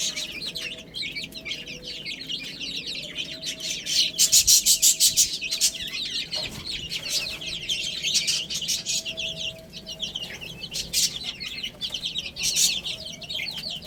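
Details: A group of chicks eating spinach peep continuously; the quick high notes swell into a loud burst of rapid tapping and chirping midway, then settle back to a steady chatter.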